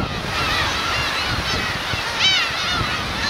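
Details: Black-tailed gull parents and chicks at the Kurosaki shore, Teuri Island, Hokkaido, 13 June 2021, giving mewing, wavering cries from a crowd of birds, one louder call near the end, with constant wave and wind noise beneath.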